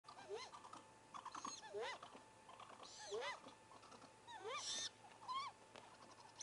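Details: Great gray owl owlets at a nest, one of four young apparently cheering on the youngest as it swallows a whole vole; a busy run of rising squeaky chirps and high sweeping screeches, several overlapping, with a steady hum beneath.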